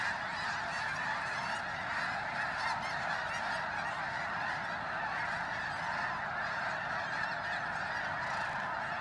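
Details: Snow geese pour into Bosque del Apache, San Antonio, New Mexico, in the cold before dawn, joining thousands already resting before the flyout. A steady, seething mass of overlapping honks goes on without a break.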